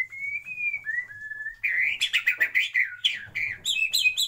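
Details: White-rumped shama singing in a breeding aviary: long clear whistled notes gliding slightly, then a burst of varied loud chirps, warbles and sharp high phrases.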